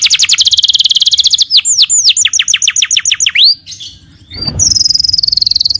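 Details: Canary song used to train other birds: rapid steady trill, a string of descending whistled sweeps, a short pause, then another fast high trill.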